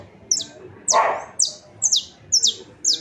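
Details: Saffron finch singing, recorded on 28 March 2026: sharp, high chirps sliding downward, repeated about every half second, with one brief lower burst of noise near the start.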